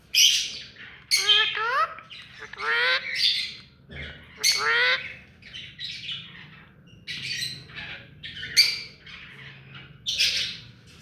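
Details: A pet rose-ringed parakeet, hand tame, repeatedly gives loud grating squawks with rising, buzzy notes, roughly every second or two, mixed with shorter raspy chatters.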